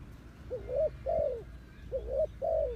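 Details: Decoy spotted dove luring wild doves with two clear coo pairs, each a quick rising note and then a sustained arching croo, against a low background rumble.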